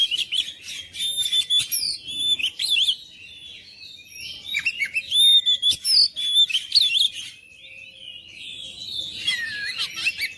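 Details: Oriental magpie-robin (kacer) song used to make lazy kacer sing persistently: quick-fire high whistles, trills and harsh chattering notes, a quieter spell in the middle, then fading to softer warbling at the end.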